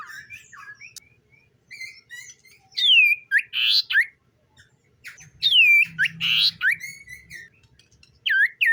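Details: Common iora in morning song, delivering loud downward-sliding whistles in bursts with short gaps, mixed with brief chirps and harsher notes, repeated in two similar phrases.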